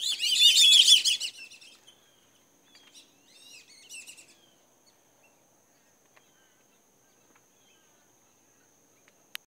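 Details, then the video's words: Kept Black-bellied Whistling Ducks give a dense, chattering burst of high whistled notes. A few scattered, softer whistles follow, and the clip ends in near silence. "whistling ducks"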